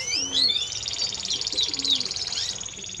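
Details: Timbrado Español canary singing: rapid high rolling trills, pulsed and metallic, held steady for seconds after a few quick rising whistled sweeps, with faint low notes underneath.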